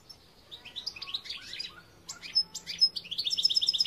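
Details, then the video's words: European goldfinch song, 2021: quick, tinkling twitters and liquid chirps in irregular bursts, ending in a fast run of bright repeated high notes. "Chant Chardonneret"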